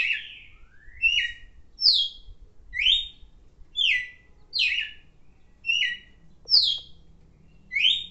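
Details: Red-cowled cardinal singing a steady series of short, slurred whistled phrases, each dipping or sliding between high and mid pitch, delivered roughly every second with brief pauses; faint clicks and a low background hum.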